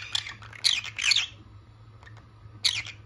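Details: Pair of pet green-cheeked conures giving short, harsh, grating squawks, several in quick succession, then a lone squawk after a pause, with a low indoor hum behind.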